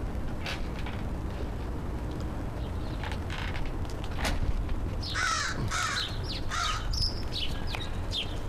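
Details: Crow greeting a person at breakfast time, recorded on 13 September 2013: several seconds of quiet background, then a run of about five harsh, hoarse caws in quick succession.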